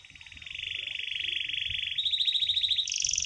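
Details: Canary with a long sustained rolling trill ('ngeroll') that steadily rises in loudness and shifts higher in pitch, against a low noisy background.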